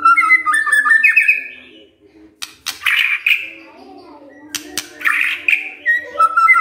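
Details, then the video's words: A white-rumped shama, provoked by a lure recording, answers with rich warbled whistles, a pause of quieter sound, then bursts of bright, buzzy notes and more fluting phrases over a low hum. "Murai DIAM Tersentak NYAUT GACOR Dengar Pancingan Murai ini"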